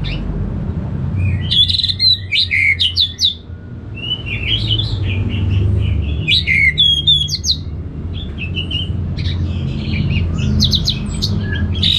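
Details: Orange-headed thrush, Singaraja, North Bali, singing continuously: bursts of varied whistled and chattering notes repeated in quick succession with brief gaps, over a low humming background.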